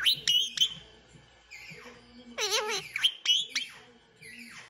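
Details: Pet parrot sweet-talking its owner's mother as she sits on the couch: a series of high, squeaky chirps and whistled, wavering speech-like notes, with a few short pauses and a faint low background hum.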